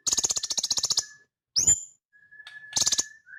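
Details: Sunbird from Indonesia giving a rapid, high rattling trill, then a single sharp upswept chirp and another short buzzy burst, with a faint steady whistle-like tone lower down.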